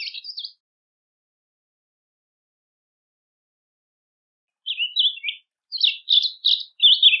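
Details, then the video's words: Rusty-collared seedeater song for training: a short burst of chirps, a long silence, then several quick clusters of sharp, varied twittering notes, nothing else audible. "Coleira do brejo canto para encarte"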